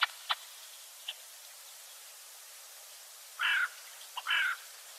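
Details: European greenfinch, a wild free-living bird, giving two short, harsh, buzzy notes about a second apart, preceded by a few faint high chips, against a steady background hiss.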